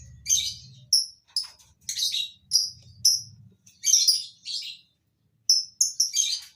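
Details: Captive lovebirds kept in a colony breeding setup: sharp, shrill chirps and short chattering bursts come in quick irregular succession, with a faint low hum underneath at the start.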